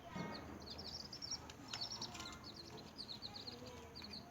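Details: Small newborn chickens chirping steadily with rapid high, falling peeps throughout, a brief lower voice-like sound at the start, and soft clicking.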